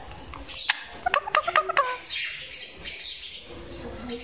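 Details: A rose-ringed (Indian ringneck) parakeet talking to a mirror chatters in a quick run of squawky, speech-like syllables lasting about a second and a half, followed by a soft rushing hiss.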